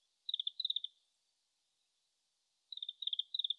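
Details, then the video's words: Distant wild Oriental greenfinch in Japan, late March, apparently still practising song: two quick twittered phrases of rapid bead-like notes, then a pause of well over a second before two more similar phrases, taken with a shotgun microphone. "カワラヒワ さえずり"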